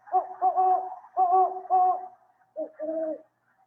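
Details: Great horned owl pair in a hooting duet, the female starting and the male, which has a five-note call, answering: a series of deep, resonant hoots, then after a pause two lower, shorter hoots.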